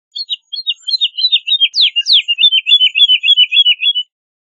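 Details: Woodlark song: a clean, continuous run of liquid repeated notes around the upper-middle pitch, with two sharp downslurred whistles in the middle, lasting about four seconds against a silent background.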